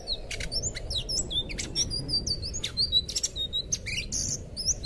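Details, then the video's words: Thrush song, locally called anis biru, recorded for tutoring young captive birds: a busy run of high, sharp chips and short slurred whistles, some rising and some falling, packed closely together over a low, steady rumble. "suara burung anis biru buat masteran burung bahan"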